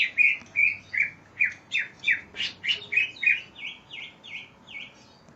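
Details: Greater green leafbird in a training recording for other birds, described as full of varied phrases: a fast run of about fifteen repeated downward-sweeping whistled notes, buzzy and harsh in the middle, softer V-shaped notes at the end.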